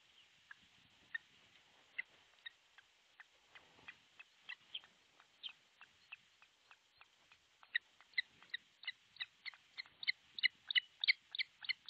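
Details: Osprey at an artificial nest in Pohjois Satakunta, Finland, filmed by nest camera on 6 July 2023; a series of short sharp chirping calls, slow and sparse at first, then quickening and growing louder, repeated about three times a second.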